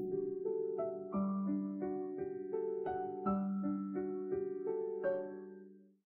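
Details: A gentle piano melody of sustained, evenly paced notes that fades out at the end, with no animal calls.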